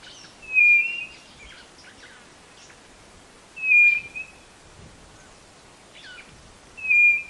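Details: Song of the white-bellied nothura from Brazil's northeast, used to lure birds into a trap box: three drawn-out, slightly falling whistles at steady intervals of about three seconds, light chirping between.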